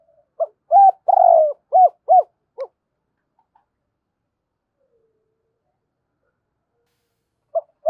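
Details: Lure spotted dove cooing to excite other doves into calling: a quick burst of short hollow coos with one longer slurred note, then silence, and a couple of coos returning at the end.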